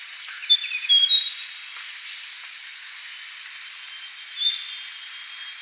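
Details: Yellow-bellied warbler, locally called cikrak bambu, recorded as a lure for wild birds: thin, high chirps and short whistled notes in a quick burst, a pause, then a second twittering burst with a faint hiss underneath.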